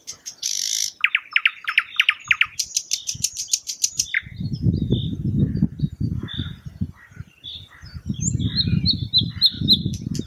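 A thrush nightingale sings a loud opening: a harsh burst, a fast run of repeated notes, then dry high clicks, before softer phrases under heavy low wind rumble.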